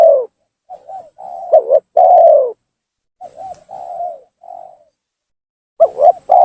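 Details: Spotted dove lure call to pull rival doves down: series of soft low coos, short wavering notes leading into longer held coos, with gaps between phrases.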